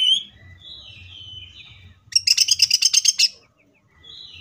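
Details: Cucak ijo (greater green leafbird) singing in tembakan style: long level whistles with slight wavers, a short loud rattle of rapid, evenly spaced notes, then a pause and a rising whistle.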